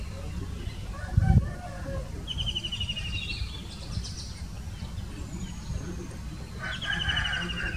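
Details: White-throated kingfisher giving an answering call: a fast rattling trill of clipped notes sliding slightly downward, heard twice with a pause between, over steady low rumbling background noise and a brief thump early on.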